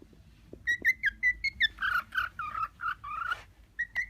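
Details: A 6-month-old, newly mature male cockatiel courting an uninterested female sings a quick run of about ten clear whistled notes, then drops into lower warbling slurred phrases, ending on two higher whistles.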